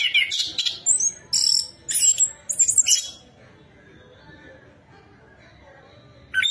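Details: Orange-headed thrush, known as anis kembang, giving lure song to set another bird singing: four loud bursts of high, scratchy squeaks in three seconds, then near silence, and a final short note at the end.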